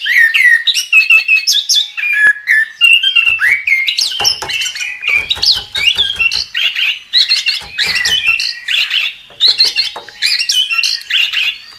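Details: Chestnut-capped thrush in lively 'gacor' singing, offered as a tutor recording for songbirds: a dense, unbroken stream of varied whistles, trills and squeaky phrases sliding between mid and high pitch, with no other sounds.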